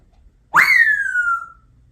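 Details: Pet African grey parrot indoors mimicking a burglar alarm on cue; a single loud whistle sweeping sharply up, then sliding slowly down over about a second.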